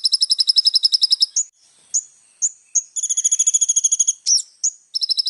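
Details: ['Little spiderhunter in energetic song. Fast, very high trills alternate with sharp lone notes, and a trill returns at the end. The recording is clean.']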